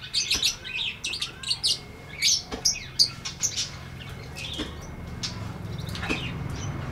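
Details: Lovebird chirping in the ngetik ngekek style: a lively run of sharp squeaks and ticks that thins out after a few seconds, leaving only scattered faint notes over a low background hum.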